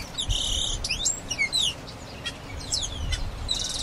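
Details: Grayish baywing opening with a loud buzzy trill and swooping whistled notes, then quieter scattered chirps and a final buzzy burst.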